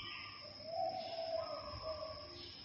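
A spotted dove gives a soft, low, hollow cooing phrase, rising slightly then dropping, over a steady high electrical whine.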